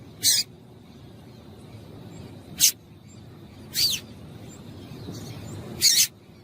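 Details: Female Double-collared Seedeater call used to stir a male into singing: four brief, harsh, high-pitched chips at irregular gaps of one to two seconds, with a low steady hum underneath.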